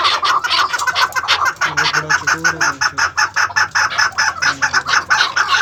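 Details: Captive maskati chakor crosses, chukar partridges kept as breeding pairs, give a loud, rapid series of clucking notes, with a faint low murmur in the middle.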